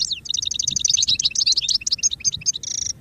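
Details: Continuous goldfinch song for training, dense twittering of quick high notes and sliding whistles, gradually spacing out into separate chirps and ending with a short buzzy trill.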